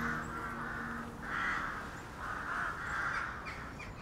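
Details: Rooks cawing together in a town colony in Zutphen in December, gathering at dusk in a roost tree after foraging in the countryside all day; harsh overlapping calls in bursts about every second, with traffic-like rumble beneath.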